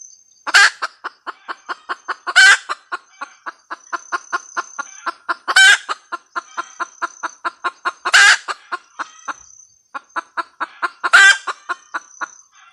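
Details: Red junglefowl hen in a long cackling bout: fast, even clucks interrupted by five loud, raspy squawks spaced a few seconds apart, with a faint steady high-pitched whine throughout.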